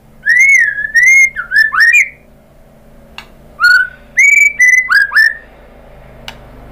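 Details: White-rumped shama singing to provoke other birds to answer: clear, full whistled phrases with slurred, wavering notes in short bursts separated by pauses.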